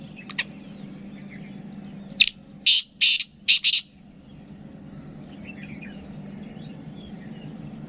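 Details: Black francolin, known locally as kala teetar; a faint click comes first, then a loud, harsh, grating phrase of five clipped, buzzy notes in quick rhythm, followed by soft distant chirps of other birds.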